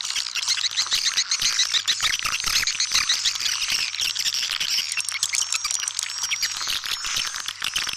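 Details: Swiftlets, played as a call to attract swiftlets; dense, overlapping high twittering chirps and rapid clicks fill the whole stretch without pause, many birds at once.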